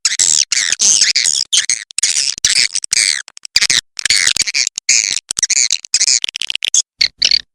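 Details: Swiftlet calls of the red macan type, said to draw a response. Dense, high, scratchy chirps and twittering come in rapid choppy bursts broken by abrupt short silences.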